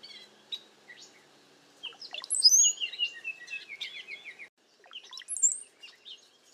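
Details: Flock of cowbirds gathered in a safe place in bad weather and strong wind, giving scattered squeaky notes that swell into a dense burst of high chattering and slurred whistles, a short pause, then more chirps.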